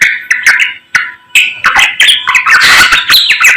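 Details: Samyong singing in the morning: a rapid run of loud, varied chirps and slurred whistled notes that grow denser and more continuous toward the end, with harsh buzzy bursts mixed in.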